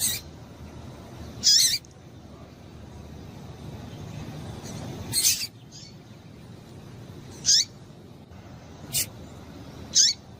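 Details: Calls of a female double-collared seedeater, used to excite males, locally called coleiro tui tui: six short sharp high chirps scattered irregularly over ten seconds, some very brief, with low background noise.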